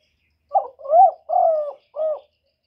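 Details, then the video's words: Close, clean spotted dove song of four low cooing notes. A brief first note is followed by a swelling second, a long level third, and a short final coo, all within about two seconds, against silence. "សំឡេងលលកូក2.ឮច្បាស់ល្អ.2023, TERKUKUR, chim cu đất, tiếng chim cu thái, cu cườm gáy gọi"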